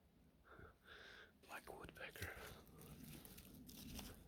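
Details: Black Woodpecker in a dark wood gives two drawn-out, ringing notes in quick succession, thought to be its alarm or warning call, followed by close whispered speech and rustling.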